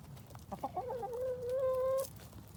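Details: Urban farm chicken in Colorado Springs, among a flock eating a pumpkin, gives a few short clucks that lead into one long, steady, nasal drawn-out note lasting about a second.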